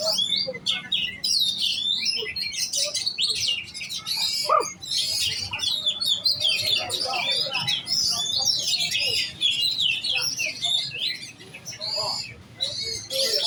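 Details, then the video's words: Young oriental magpie-robin (giras) in contest preparation, pouring out a dense, continuous run of varied whistles, chips and rapid trills, with fast notes crowded together and hardly a pause. Faint voices and low hum sit underneath. "Burung kacer giras set lomba kejar on ngunci"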